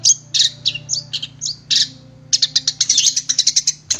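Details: Long-tailed shrike (cendet) tutor song: varied high warbled and slurred whistles at first, a short pause, then a rapid run of sharp repeated chirps and trills to the end.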